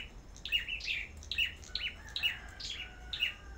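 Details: Farm-kept Sâu Đầu Đỏ birds in competitive singing: rapid, bright, high twittering notes in paired bursts, roughly one burst per second.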